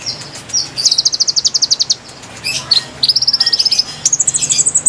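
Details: Song of the konin used as a lure for wild konin: short high chirps lead into a quick pulsed trill, a scratchy break, then two more rapid high trills, one rising higher at the end.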